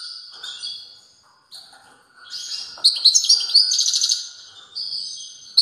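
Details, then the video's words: European goldfinch singing strongly, soft twittering building into a loud stretch of quick tinkling notes and a nasal buzzing trill, then trailing into quieter chirps. "تغريد قوي لطائر الموقنين"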